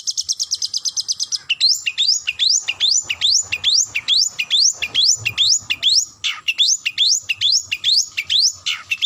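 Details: Long-tailed shrike calling a rival: opens with a fast high trill, then repeats rising, upslurred squeaky notes about twice per second with harsh scratchy edges.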